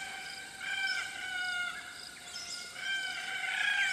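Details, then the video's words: Several Red-tailed Black Cockatoos calling in tropical woodland on Queensland's Atherton Tablelands, Australia: long creaky squawks that overlap and rise and fall, with higher lorikeet notes and Pacific Koel calls mixed in the background. "Red-tailed Black Cockatoo Calls & Sounds"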